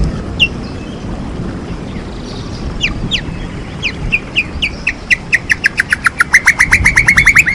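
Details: White-rumped shama lure song for coaxing reluctant birds to sing: scattered soft chips and short slurs build into a loud, fast, evenly repeated rising trill at the end.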